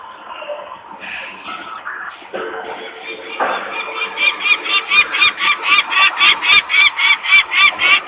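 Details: Peregrine falcon parents screaming at a nest site in Włocławek, Poland, 23 May 2022 around 14:51, while workers make noise nearby and young still sit on the landing; mixed calls give way to a fast, harsh kak-kak series about four per second.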